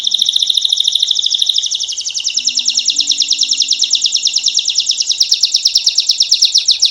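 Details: Belgian canary producing a long unbroken fast trill of rhythmic pulsed notes, dipping slightly in pitch midway, with a faint low tone in the background.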